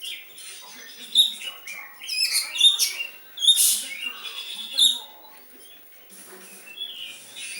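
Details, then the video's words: Oriental magpie-robin singing in the style of a sooty-headed bulbul: varied bright whistled phrases and sharp chirps, some rising, in uneven bursts with short pauses. "Kacer rasa kutilang"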